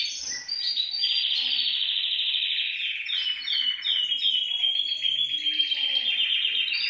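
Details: Canary singing, recorded to encourage other canaries to sing: sustained rolling trills and warbles, with overlapping bright notes, descending slides and high whistled phrases, continuous without pause.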